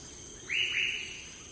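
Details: Andaman Woodpecker (Dryocopus hodgei) on the Andaman and Nicobar Islands, India, gives two quick, sharp, mid-high calls about a third of a second apart, over a steady high insect hiss.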